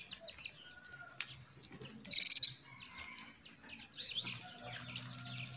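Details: Canary hen calling the male to excite him into song: one short, rapid burst of sharp, high repeated notes in the middle, with scattered faint chirps and a low hum toward the end.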